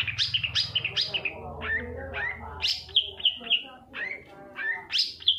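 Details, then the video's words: Lure recording of a long-tailed shrike, played so that silent or reluctant shrikes begin singing. It has varied scratchy notes and sharp whistled downslurs in quick irregular succession, with a faint low hum at times. "suara panncingan cendet agar bunyi dan gacor"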